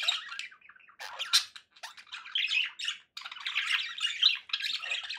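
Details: Pet budgies call in bursts of scratchy chirping and squawky warbles, broken by brief silent gaps around the second and third seconds.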